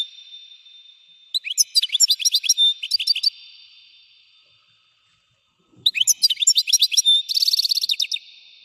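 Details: European goldfinch delivering two bursts of rapid, liquid twittering with tinkling trills and buzzy notes, separated by a few seconds of silence.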